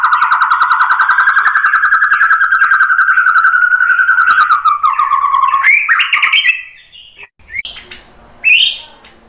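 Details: [1, 'White-rumped shama song used as a lure to provoke other birds to sing: a long rapid buzzy trill held near one pitch for about five seconds, then a few sharp rising whistles and scattered clicks.']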